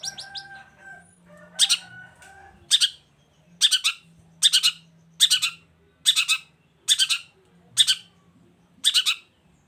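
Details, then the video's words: Long-tailed shrike calling vigorously, used to push quiet shrikes into answering: loud grating, rasping notes repeated roughly every second, after a few soft whistled tones, over a low steady hum. "CENDET GACOR ❗RAJANYA DONGKRAK EMOSI CENDET DIAM LANGSUNG NYAUT GACOR IKUTAN BUNYI"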